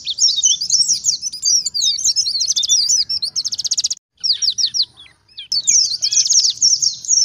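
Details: Lure recording of an oriental white-eye in the 'ngalas' wild singing style, used to train caged birds. Long high twittering runs and a buzzy rattling trill break into silence, then the shrill warble resumes.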